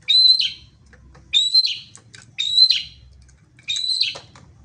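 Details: Singing wild songbird giving four loud, similar phrases over about five seconds, each opening with a clear high whistle that breaks into a buzzy, scratchy flourish, separated by short pauses, with faint low rumbling behind.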